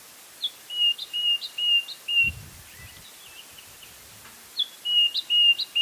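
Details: White-browed scrub robin giving its own version of a call repeated over and over: quick strings of high whistled notes with rising flicks, two phrases about four seconds apart, softer lower notes and a low rumble in between.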